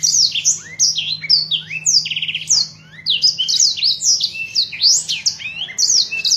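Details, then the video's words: Blackthroat song kept for training other cage birds: a fast, continuous run of bright whistled notes sliding down and up, with a short buzzy rattle near the middle and a low steady hum beneath. "blackthroat gacor cocok buwat masteran burung"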